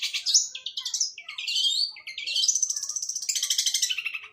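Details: Long-tailed shrike singing in the fighting style, its song copying sparrow-like sounds: a run of high, rapid chirpy phrases that rise and fall, ending in dense, buzzy repeated notes.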